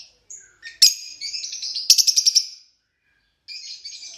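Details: Fischer's lovebird calling with thin high squeaks, a sharp shriek, then a quick series of about eight pulsed chirps, a pause, and more buzzy chatter.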